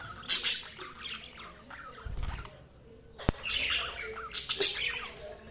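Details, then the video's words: Budgerigars give harsh, scratchy chirps and chattering warbles in two main bursts, near the start and after three seconds, with a sharp click and some low rumbling between. "Budgies Sounds| Budgies Chirping sound"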